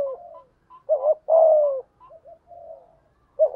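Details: Lure spotted dove delivering thúc gù cooing: soft low murmurs around a louder doubled note and one long, slightly falling coo, quiet background.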